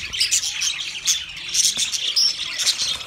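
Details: Budgerigar pairs, twenty pairs kept together, chirping in a dense chorus of high, short twittering notes and scratchy squawks overlapping continuously, many birds calling at once with no pauses.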